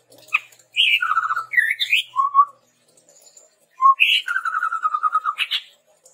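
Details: Chestnut-rumped babbler singing actively, used as a training lure: a fast trilled phrase, rising whistles, then a long, even, low trill ending in a sharp upstroke note.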